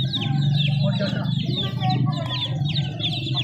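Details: Chicks give a busy stream of high, downward-sliding cheeps over a strong low droning hum, with faint speech in the background.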